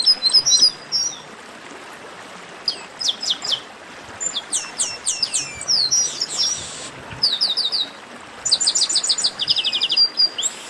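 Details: Chestnut-capped blackbird 'baderna' chorus for warming up singing birds: scattered whistles giving way to repeated runs of rapid, sharp chirps and a fast stacked trill near the close, with faint hiss behind.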